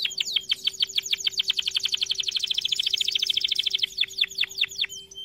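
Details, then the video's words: Canary delivering a long rapid trill of down-slurred notes that quickens in the middle and slows toward the end, used for training canaries; faint steady hum behind. "Most powerful song for training Canary"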